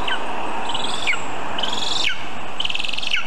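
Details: Lesser spotted eagle at a birch-tree nest about 20 m up in Zemgale, on a live nest camera at 9:24 am on 19 August 2023 as a vole is delivered. Three shrill, buzzy yelps, each ending in a downward slur, come about once a second over a steady hum.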